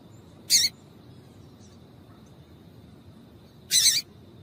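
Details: Calling female yellow-bellied seedeater, meant to excite males: two short raspy chip notes about three seconds apart, quiet hiss between them.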